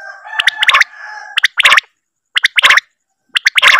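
Common quail giving its liquid three-note 'wet-my-lips' phrase about once a second, the first note short and the next two sharper. A faint hum sits underneath.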